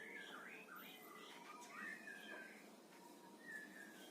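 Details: A compatible pair of pet parakeets in Indonesia chatter in a soft, continuous warble of twisting whistled notes, rising and falling in pitch with no steady rhythm.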